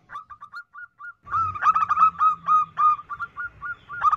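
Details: Female zebra dove calling to lure males: a quiet run of short repeated coos, then a louder, rapid sequence of stuttered ringing notes on a steady pitch, with a low hum beneath.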